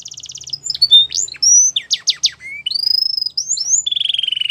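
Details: Young canaries' training song from a Belgian canary: buzzy trill, steep downward chips, rising whistles, ending in a steady rapid rolling trill; faint low hum underneath.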